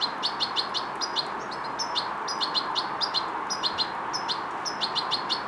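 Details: A young European goldfinch, a fledgling learning coordination and motor control, chirps almost continuously, bright, clipped high notes in quick groups of three or four, steady hiss underneath.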